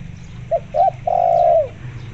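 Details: Single phrase from a vocal spotted dove, part of a lure mix with local zebra dove sounds meant to set zebra doves calling: two short notes, then a long mellow coo that slides down at the end.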